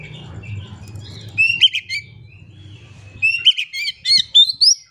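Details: Lure song of an Oriental magpie-robin meant to prompt silent birds to sing: low background hum at first, then quick clusters of high, rising whistles and chattering notes.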